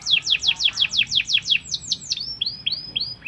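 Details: Fighting canary in training song: about ten loud downward-swept whistles in steady rhythm, then softer, longer rising whistled notes repeated at a slower pace.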